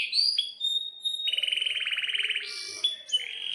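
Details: Vigorous gacor canary song with a long roll, used as tutor singing for young canaries. Sustained whistled tones lead into a rapid buzzy trill lasting over a second, then brief high slurred notes.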